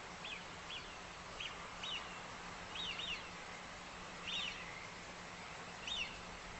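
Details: Eurasian Wigeon males give their classic nocturnal flight call, clear high whistles rising quickly then stepping down. About nine come singly or in pairs over six seconds, above a steady low hiss.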